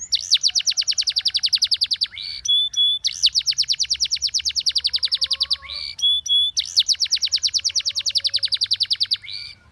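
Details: Singing Russian canary repeats a pattern three times: a long fast trill of evenly spaced sharp high notes followed by brief pure whistled tones, steady and loud throughout.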